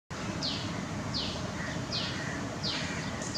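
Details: Pair of red-whiskered bulbuls in Kolkata, West Bengal, India, recorded 10 April 2020 on a Nikon COOLPIX P900: a sharp, high note sliding downward, repeated about every three-quarters of a second, over steady low background rumble.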